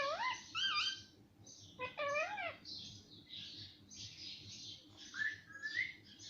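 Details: Pet talking parrot, said to say mummy and papa, gives a run of harmonic, voice-like syllables with swooping rises and falls, then softer breathy chatter and a final rising note.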